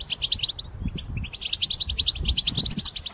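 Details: European goldfinch singing in a cage, song used for trapping: steady string of bright, quick chirped notes, evenly spaced and high, with faint low background rumble.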